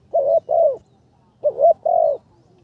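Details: A spotted dove trained as a ground decoy, on its third session, gives two soft phrases, each a brief coo followed by a longer, slightly falling coo, separated by a short silence.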